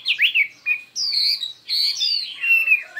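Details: A Chinese hwamei sings in a contest, with many voices and fierce intensity. Long drawn whistles slide downward and are mixed with quick twisting slurred notes and short pauses.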